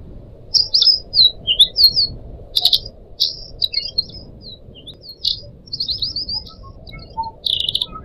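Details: Pied Triller song from caged pet birds, recorded as a training tape for young birds: bright chirped and slurred notes, some rising and some falling, come in quick bursts and then pause, over a faint low murmur.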